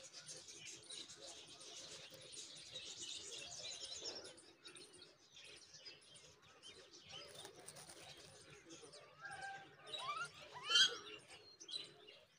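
Myna chicks beg with a dense stream of harsh, hissing chirps, rising to a louder burst of squeaky, rising notes as the parent arrives with food.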